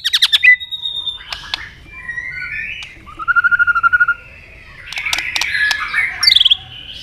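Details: Shama fighting song with tail-snapping, sung to raise fighting spirit: a stuttering opening burst, soft drawn whistles, a steady level trilled whistle, then clicks and a falling high whistle.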